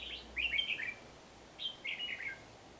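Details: Red-whiskered bulbul used as a decoy bird, singing to fight during trapping in a forest on 12 March 2019: two short, liquid, warbled phrases of chirping notes. Each phrase dips downward, heard faintly over steady background hiss.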